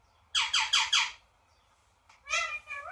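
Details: Parrot bursts into four quick, evenly spaced harsh squawks. After a pause comes a falling, nasal, meow-like call with a softer echo.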